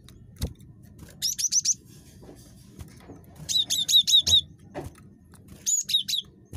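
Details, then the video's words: Cinereous tit, a very chatty bird, used as a lure: three bursts of four to five high, sharp notes with a bouncing two-part shape, separated by pauses and occasional low knocks and clicks. "GELATIK BATU SUPER CREWET"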